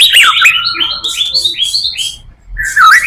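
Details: White-rumped shama singing a full song meant to lure others of its kind: a quick series of falling whistled slurs, about four a second, then a short pause and a rising twisting phrase.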